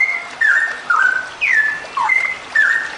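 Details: Female straw-headed bulbul giving a sustained 'ropel' song, played to encourage other birds to sing; rich whistled slurs sweep down and level off, in bursts about every half second, light background hiss.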